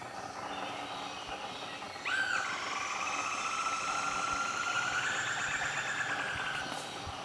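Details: A Banded broadbill looking around gives a long, drawn-out whistle that starts abruptly and slowly rises over about four seconds, over steady background hiss.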